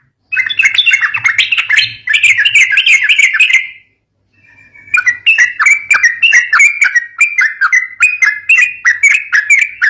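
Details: Yellow-vented bulbul in fighting-style song, used to prompt young birds to sing: dense bursts of rapid, bubbly chattering notes, briefly silent midway, then resuming with quick repeated warbled phrases.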